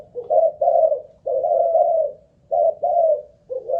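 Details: Decoy spotted dove, Malaysian line, kept caged and cooing persistently; three mellow phrases of low, smooth, hollow notes, each ending with a drawn-out coo, separated by short gaps.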